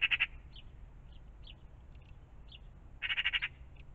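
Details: Magpie in the morning near a pond: two short harsh rattles at the start and end, with several soft, thin high chips in between against faint low rumble.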